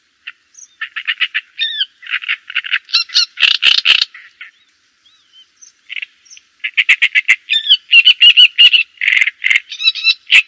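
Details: Java sparrow delivering rapid ticking notes and curved whistles in two long bouts separated by a short quiet spell, each bout dense with bell-like clucks and chatter.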